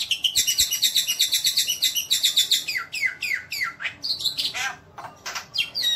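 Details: Javan white starling masteran: a fast chattering series of bright, harsh notes that shifts into long downward-sweeping whistles and scattered sharp chips.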